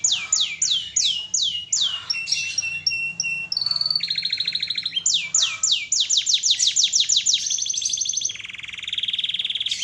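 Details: Canary in full song, a series of bright descending whistled sweeps repeated about three per second, broken by buzzy rolling trills and a long high rattle near the end.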